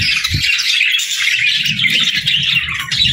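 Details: Several parakeets chattering at once, busy high-pitched warbling and squeaky notes layered thickly throughout, over faint low rumbling.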